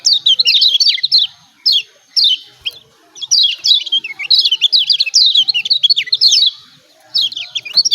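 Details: Agitated 'ciak ciak' calls of the Lombok yellow white-eye, used to make silent birds sing: repeated bursts of rapid, high, descending chip notes separated by brief pauses.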